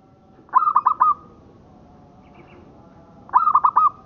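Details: Local zebra dove (perkutut lokal) master song: two stuttering bursts of four quick notes flowing into sustained coos, about three seconds apart, with a faint chirp between.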